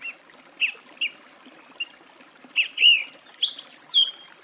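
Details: Song thrush singing scattered short whistled notes, then a louder phrase ending in a high, rapid, twittering flourish; light watery background noise.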